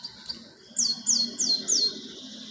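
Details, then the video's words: Cinereous tit lure call: four quick, high, thin notes sliding downward, evenly spaced at about a third of a second, over a faint background hiss. "Pancingan Suara pikat Burung gelatik batu"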